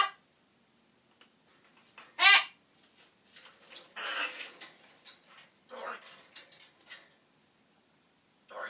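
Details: Macaw talking, uttering some unpleasant words: one loud, harsh squawk early on, then a run of raspy, speech-like syllables and short bursts with quiet gaps between them.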